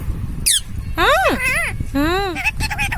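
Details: Indian ringneck parrot talking: a run of harmonic, arched, speech-like syllables rising and falling in pitch, one after another, with a sharp squeak near the start and faint background noise.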